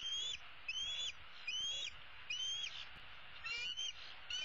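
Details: Female bald eagle eaglet, 2016, roosting in the nest tree and calling for her parents to bring supper: high, thin whistled squeals that rise and level off, repeated about every 0.8 seconds.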